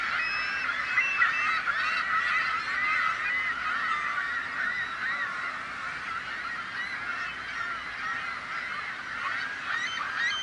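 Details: Seagulls massed together, making a din to scare off would-be predators, human or bird: a continuous thick chorus of many overlapping harsh, bending calls, with no gaps and no single bird standing out.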